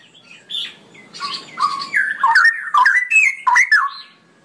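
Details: Straw-headed bulbul singing a long ropelan phrase: scattered high notes build into a loud flowing run of rich whistles and gurgles, rising and falling in quick successive bursts.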